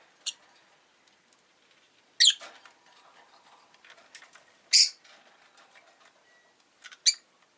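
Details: Rosy-faced lovebird giving sparse, sharp, raspy chirps every two to three seconds, between soft rustling and pattering noises.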